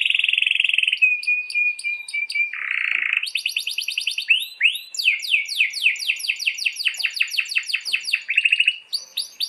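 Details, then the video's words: Canary master song used for training, with long rolling trills: a sustained buzzy roll, a steady whistled tone, then rapid series of repeated sweeping notes and fast trills in dense continuous song. "MASTERAN KENARI GACOR ROL PANJANG"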